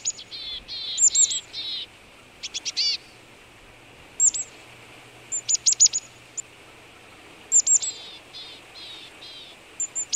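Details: Marsh tit in Belarus's Vitebsk region, winter morning of 22 February 2013, minus 18 degrees, by the remains of a wild boar; nasal, harmonic-rich buzzy notes mixed with sharp clipped high chips, given in scattered groups over faint background hiss.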